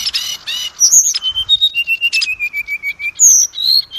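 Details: Magpie-robin song played to draw caged birds into singing. A scratchy trilled opening gives way to a long series of about fifteen clear whistled notes stepping gently downward, then two higher drawn-out whistles.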